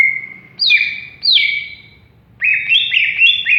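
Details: Greater green leafbird giving a long steady whistle, two downward-slurred high whistles, then a quick chain of short rising-and-falling whistled notes.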